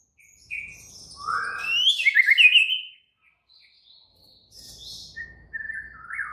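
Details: White-rumped shama in agitated, active singing: a rising whistle, then a loud burst of rapid buzzy trilled notes, a pause, and softer thin whistles at the end.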